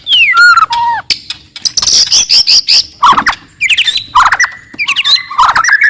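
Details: Very aggressive, loud song from a forest white-rumped shama intended to anger rivals: descending whistles, dense high chattering trills and varied quick phrases with sharp clicks between them.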